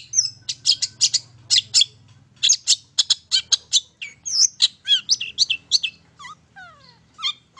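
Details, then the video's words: Long-tailed shrike song used as a provoking lure. Rapid, scratchy chattering notes repeat at an uneven pace, later joined by looping whistles and sliding down-slurred notes. A faint low hum runs early on. "PANCINGAN TERBAIK!!! CENDET MAIN SATU TITIK"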